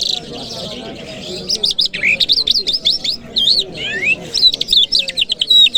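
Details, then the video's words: Lark from Kabul on a Friday morning pours out a long, fast, continuous song of looping whistled notes, swoops and sharp clicks, varied and rich, with a quiet low background murmur. "Jal Birds Sounds | Lark Singing | جل مشهدي | طرقه | قزالاق | صدای جل مشهدي برای مست کردن"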